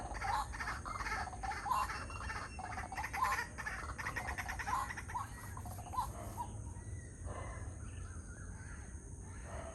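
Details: At 6:59 am, a pair of white-breasted waterhens chatter in loud, harsh, croaking notes, repeated in uneven bursts, over a steady high insect whine and low background rumble.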